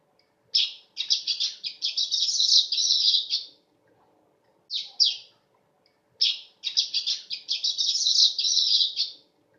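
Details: Song of a weaver: quick bursts of high, buzzy, rattling chirps strung into two long phrases of about three seconds each, separated by a pair of short sharp notes; otherwise quiet.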